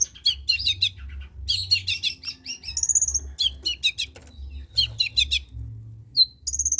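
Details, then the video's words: Energetic long-tailed shrike song for prompting silent shrikes to sing: rapid buzzy chatter in bursts, interrupted by pure high whistled trills around the middle and end, over a faint low hum. "Suara Cendet PASTOL GACOR || Pancingan Cendet Malas BUNYII"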